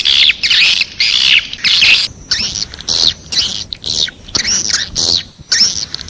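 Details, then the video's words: Swiftlets calling: harsh, buzzy chirps bunched high in pitch, given in quick irregular bursts of about one every half second, some run together into longer rasping notes, with a faint low background hum. "Suara Panggil Walet"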